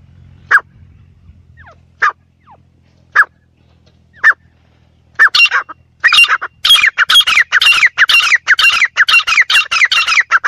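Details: Partridge (teetar) calling: four spaced single harsh notes, then a fast run of loud, grating, repeated calls that grows denser toward the end. A faint low hum is heard at the start.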